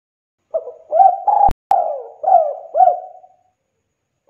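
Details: Lively spotted dove cooing as a lure for other doves: short rising notes lead into a long mellow coo interrupted by two sharp clicks, followed by two brief coos and the start of another phrase.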